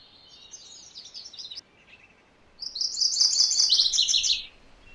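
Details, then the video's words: MacGillivray's warbler singing a short, thin phrase of high notes, then a longer, louder burst of rapid, slightly buzzy chips that drops at the end. "MacGillivray's Warbler Song ! MacGillivray's Warbler Sounds ! MacGillivray's Warbler Call"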